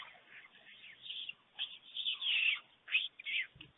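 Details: Two white stork chicks at a nest in Fohrde, Germany, on an early afternoon in July 2019 while the adult male delivers food: several short, raspy hissing bursts in quick succession, following a quiet start.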